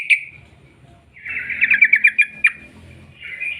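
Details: Sooty-headed bulbul singing in the long 'ropel' style as a lure for other bulbuls: an isolated sharp note, then a quick wavering trill of bright slurred notes, and a rising note at the end.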